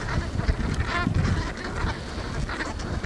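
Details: A flock of geese in a meadow on Ameland, Netherlands, honks in overlapping nasal calls, many birds at once, over a steady low rumble of wind.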